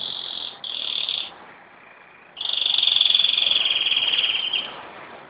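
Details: Canary kept at home in Jeddah, recorded on Friday, 26 September 2008, showing off: a bright, high, rapidly pulsed rolling trill that breaks off briefly, then resumes louder and steady for over two seconds.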